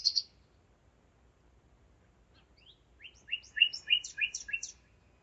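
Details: At 01:55 on 5 May 2017 in Zeitz, Germany, a nightingale sings in the dark: one high opening note, a pause, then a fast rhythmic run of about eight repeated loud, sharp, piping notes.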